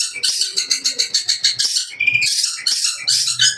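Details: Long-tailed shrike kept for song competitions sings very fast, mimicked sparrow-like material included. Rapid pulsed chattering notes, about three per second, run into harsher buzzy phrases, with faint low background noise.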